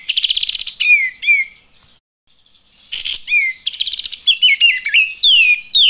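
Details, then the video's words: Olive-winged bulbul calls in two bursts, each a rapid high chattering trill running into clear, bubbly whistled notes that dip and rise, with a short pause between. "Olive Winged Bulbul Birds chirping"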